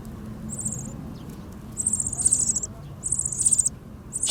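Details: Meadow bunting nestlings in a ground nest give very high, thin, rapid begging calls in three or four short bursts, gaping as the parent arrives with food; a low background rumble runs underneath.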